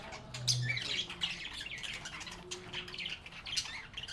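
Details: A flock of happy pet budgerigars sings and chirps. Their busy, overlapping warbled chatter runs throughout, with a faint low hum early on.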